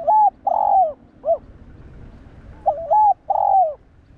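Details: Spotted dove calling to stir up and train other kept doves. Two phrases of clear, mellow coos, each a short note, a longer swelling note and a short clipped ending, with faint low background hum.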